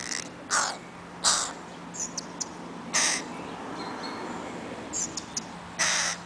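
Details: Crow chicks following their mother, Helsinki, Finland, 20 July 2011: spaced harsh caws about every second or two, with faint short chirps between them over a steady low hum.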